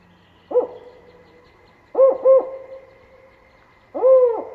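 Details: Spotted owl; four-note hoot; locating mates and declaring territory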